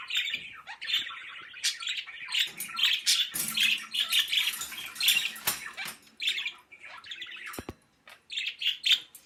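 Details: Several pet birds chattering together: dense, rapid high chirps and harsher squawky notes overlapping almost continuously, with short lulls and a couple of sharp clicks near the end.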